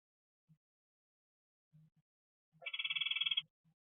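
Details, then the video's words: Unidentified bird whose call is likened to a weed whacker; a rapid buzzy mechanical rattle of about twenty pulses lasting under a second, with faint low knocks before and after. "bird that sounds like a weed whacker"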